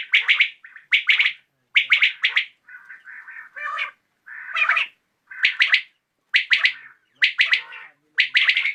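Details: [['Common quail calling at evening: loud trisyllabic clicky phrases repeated about every second, broken midway by softer, lower, buzzy notes before the loud phrases resume.']]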